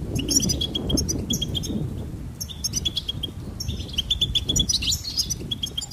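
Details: Goldfinch twittering: strings of high chirps and quick trills over a noticeable low, rumbling background noise that runs throughout.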